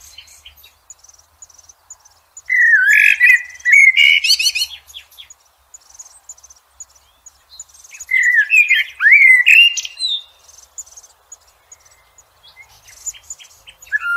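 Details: Blackbird in nature with two fluting song phrases about five seconds apart. Each rich, low warble tails off into squeaky high twitters, with faint high chips between phrases.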